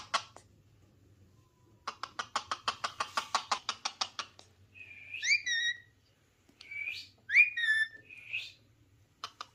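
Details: Ringneck parrot calling naturally; fast rattling run of clipped notes, then several rising and falling harsh screeches with short gaps.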